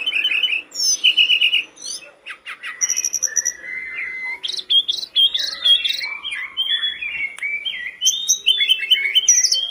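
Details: Persistent song of a sooty-headed bulbul, played to stimulate kept birds: stuttering trilled phrases open, then long sliding whistles and tumbling high warbled notes continue without pause for nearly ten seconds.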